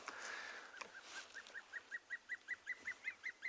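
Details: A juvenile Dark Chanting Goshawk calling for its mother at sunrise on 19 July 2020 in Tswalu Kalahari Reserve, South Africa: a drawn-out opening note, then about a dozen clear, evenly spaced, slightly rising piping notes over faint hiss.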